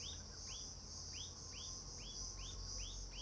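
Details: Himalayan bulbul (Pycnonotus leucogenys) in Landour gives short, arched chirps about two or three times a second, over a steady high insect drone and a low rumble.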